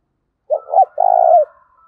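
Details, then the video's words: Spotted dove cooing for training lure birds: one phrase of two quick low coos followed by a longer, slightly buzzy drawn-out coo, clean background. "Tiếng cu gáy thúc bổi, tiếng gáy để anh em tập bổi ngày m5, chim cu gáy tập bổi mới nhất"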